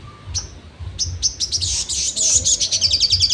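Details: Sogon giving trotol-style song for songbird training: sharp high notes that quickly merge into a dense, rapid, high-pitched trill, with low hum beneath.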